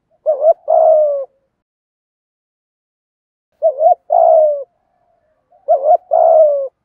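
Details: Spotted doves, male and female, cooing in the thổ voice to stimulate wild birds: three identical low phrases roughly every three seconds, each a brief wavering note then a long steady coo, with silence between.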